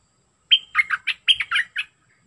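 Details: A wild sooty-headed bulbul, recorded 29 August 2021, sings a quick, lively phrase of about eight bright, bubbly notes. It opens with a clear whistle, then runs through chirpy slurred notes. The background is quiet.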